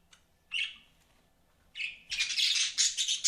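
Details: Two short squawky budgie notes, then a run of fast, buzzy chirping chatter in a small room.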